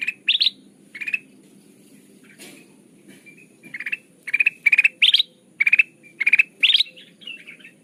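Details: Call of the sooty-headed bulbul used as a trapping lure: repeated bursts of quick, bright, slightly rising chirps, sparse at first, then coming steadily every half second, with a soft click and low hum beneath.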